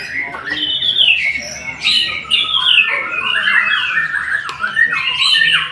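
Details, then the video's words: White-rumped shama delivering distinct whistled phrases: slurred descending notes, sharp upward sweeps and a single loud click, separated by brief gaps. "Murai memang TOP MARGOTOP"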